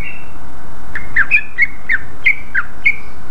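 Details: After a faint opening whistle, a greater green leafbird sings loudly as a lure for others of its kind, giving choppy twisting chirps at roughly three per second.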